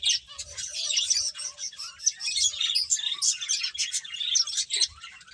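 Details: Feeding finches keep up a busy stream of quick, high chirps and squeaky tweets, many birds calling at once and rising and falling in loudness, over soft low bumping sounds.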